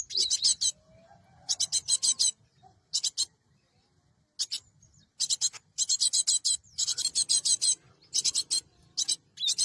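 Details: Cinereous tit played as a trapping lure gives dry, raspy churring bursts of fast pulses in uneven runs, separated by short silences.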